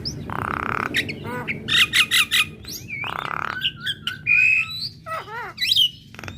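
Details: Female black-winged starling song meant to make other birds of its kind respond: harsh broadband squawks, rapid stuttering notes, bright whistles and downward-swooping slurs in a busy, varied sequence over a low rumbling background.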